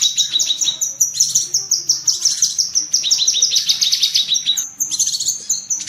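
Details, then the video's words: Cucak kinoi bulbul rapid chatter, the tembakan cerecetan used as masteran for pet birds: quick, shrill, stuttering chips, roughly three per second, in uneven bursts with a short pause near the end. "Masteran tembakan burung cucak kinoi"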